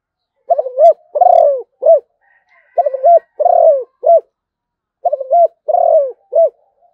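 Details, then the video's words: Zebra dove cooing in three matching phrases roughly two seconds apart, each a quick stuttered series, a purring coo and a clipped final note. "chim cu gáy malaysia/ cu gáy malaysia"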